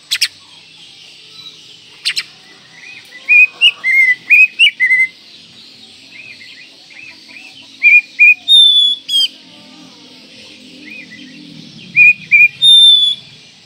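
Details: Masteran song of the kacer, or Oriental magpie-robin: long series of rapid whistled notes in groups of three to six, some rising and some falling, with a loud sharp click near the start and a long high slurred whistle.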